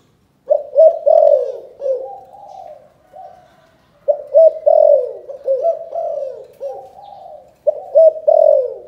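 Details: Cần Thơ spotted dove cooing in the chụp chụp ô calling style, repeated phrases of quick throaty double notes running into a long falling coo and softer trailing hoots, two full phrases in a quiet setting.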